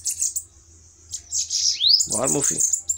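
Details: Bananaquits dueling fiercely. A high, hissing, buzzy warble fills the first two seconds and ends in a quick rising whistle. A man's voice then speaks briefly while the thin chatter carries on.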